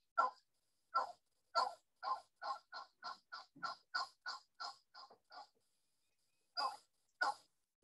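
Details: Wild turkey hens' assembly call to regather a scattered flock: a long series of raspy yelps, about three per second then slowing, then two more yelps; faint very high calling from juveniles answering adults.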